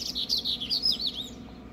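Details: A young brown seedeater, its song not yet settled, sings outdoors from atop a bin near grassland, excited by passing waxbills: a fast, high twittering warble of quick rising and falling notes, run together without pause.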